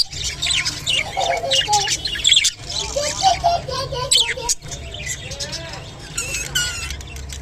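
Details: Japanese budgerigars mating, with a long run of chirpy warbling, quick squeaks, slurred whistles and brief pauses, all over a steady low mechanical hum.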